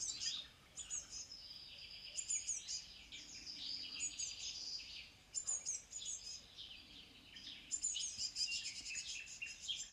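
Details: European bee-eater calling: high, rolling trilled notes in short bursts, several overlapping and rising and falling in loudness, over a steady background hiss.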